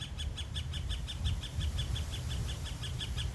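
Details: Woodpecker hammering on a metal lightpole in town, searching in vain for insects. Fast, steady taps ring with a bright metallic tone over a low rumbling background.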